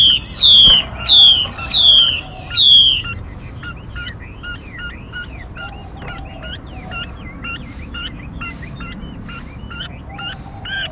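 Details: Decoy bird sound for trapping and training birds: four loud, sharply descending whistles at the start, followed by softer arched chirps repeated steadily.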